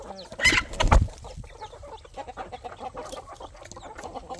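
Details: Chickens and roosters with growing hens and chicks on a poultry farm at evening feeding time; two loud rustling bursts open, then soft low clucks repeat rapidly and unevenly among quieter background farm noise.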